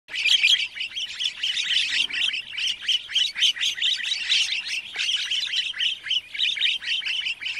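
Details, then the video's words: In Kruger National Park, South Africa, wattled starlings give a dense, continuous stream of high, squeaky chattering notes, several birds overlapping in a busy flock chorus. "Wattled Starling call / sound"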